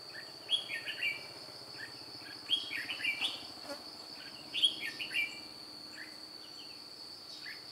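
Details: On 2 July 2018 a white-cheeked red-whiskered bulbul, kept as a trapping decoy, flicks its wings and tail and gives lively, chattering whistled phrases in three bursts. A continuous high insect whine runs underneath.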